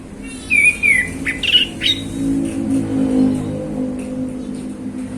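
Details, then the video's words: Caged male orange-headed thrush singing relaxed in the afternoon: a falling whistled phrase followed by quick chirpy notes, with low engine rumble in the background. "Anis Kembang Ngeplong Santai Sore"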